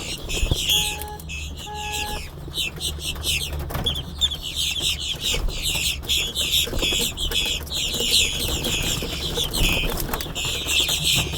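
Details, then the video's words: A giant flock of blackbirds feeding in a store parking lot in Brunswick, Georgia, on March 3, 2026, gives a dense, continuous chatter of harsh squeaks and chucks, over a low traffic rumble with two short electronic beeps near the start. "Feeding the Blackbirds"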